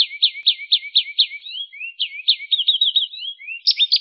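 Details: Canary singing energetically in a rolling style, recorded as master song for training songbirds: high, spaced chirping notes, then upward slurs, a rapid wavering run and a clipped burst of high notes, set against silence.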